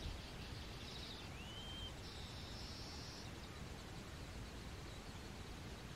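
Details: Male baya weaver finishing its nest in a neem tree during the monsoon breeding season, trying to attract females: faint, high buzzy wheezes with a brief rising whistle between, over a steady low rumble.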